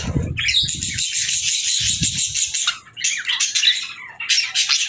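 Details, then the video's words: Pet budgies warbling steadily: a continuous buzzy, chattering stream of high notes with short gaps, over soft low thumping sounds in the first few seconds. "Budgies Chirping"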